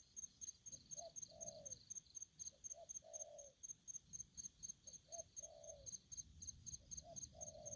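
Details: Four repeated phrases from an aggressive spotted dove, each a short note leading into a longer low coo, roughly every two seconds, beneath steady high cricket pulsing.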